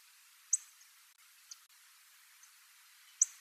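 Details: Little bunting, a passage migrant on Tobishima island, Japan, single bird in a school ground; sharp high ticking calls, two strong ones near the start and end with fainter ticks between, quiet background.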